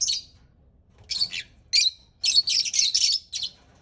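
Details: Parrot making several short, harsh, high-pitched bursts of rasping chatter separated by brief silences.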